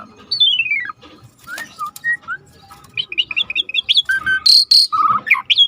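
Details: Asian pied starling singing vigorously as a training tutor: a long descending whistle, scattered soft notes, then a fast jumble of squeaky chirps, buzzy high notes and whistles.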